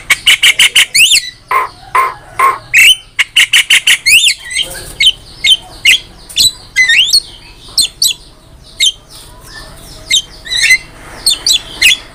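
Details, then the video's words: Mixed, varied Javan myna song in full form, used as a training master: quick ticking bursts and short nasal notes open, followed by scattered squeaky whistles and sharp upslurred chirps. "MASTERAN JALAK KEBO GACOR"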